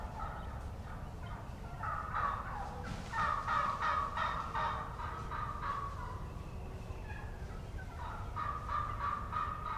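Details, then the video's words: Jakes, young wild turkey gobblers, calling from the ground under a roosted hen on 30 March 2017; two runs of hoarse repeated yelps, the first strongest around three to five seconds, a second series starting near eight seconds. "JAKE YELPS from REAL WILD TURKEYS"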